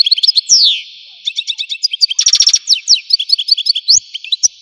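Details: Algerian goldfinch in continuous song: dense, rapid, high twittering broken by a sweeping descending slur and a short buzzy rattle in the middle, then more tinkling notes.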